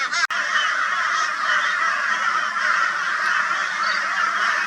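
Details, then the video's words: Crows reacting to a barn owl in Brisbane, Australia, on 22 February 2022 keep up an unbroken, loud, harsh cawing chorus, many voices blending into one steady raucous roar after a single sharp click. "Crow Reacts to Barn Owl with High Volume Raucous Noise"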